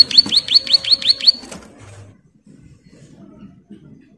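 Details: Female bar-winged prinia in breeding condition calling its mate: six sharp, high notes in quick even succession over about one and a half seconds, then only faint low background murmur.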